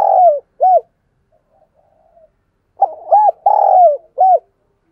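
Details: A decoy dove gives low, hollow coos and crowing calls to lure wild doves, each dropping in pitch, in two short bursts with a quiet pause between.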